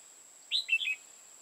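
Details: Clear, loud phrase from a decoy red-whiskered bulbul used for trapping in Hoa Binh, Vietnam: three or four rich warbled notes, the first higher, delivered within half a second against a quiet background with a faint steady whine.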